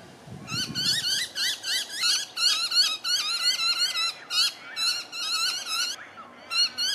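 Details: Night recording from Melbourne, Victoria, Australia, October 2020, of a tawny frogmouth family with two fledglings; bursts of rapid, sharp, high repeated calls, grouped in runs with brief pauses between, plus a low rustle at the start.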